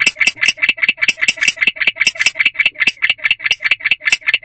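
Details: Male barn owl in a second nest box at 1:21 am on 5/3/23, giving chirping earlier linked to courting: fast run of harsh, buzzy chirps, about two and a half per second, steady and unbroken.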